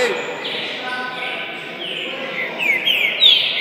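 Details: Green-winged saltator, a one-year-old caged young bird on its first outing from home to a bird gathering, 4 August 2019; faint whistled slides build into louder, clear whistled notes near the end over steady background hiss and murmur.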